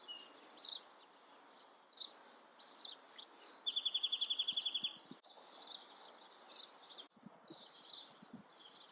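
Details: Bewick's wren delivering a short whistle and a fast, evenly spaced trill mid-recording, surrounded by many repeated arched chirps from other birds.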